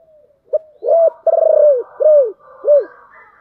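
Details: Spotted dove decoy with a deep, thick 'thổ' voice, calling to lure wild doves: a short note, then a series of loud, low, hoarse arched coos, one long and pulsed, falling at the end; faint soft cooing behind.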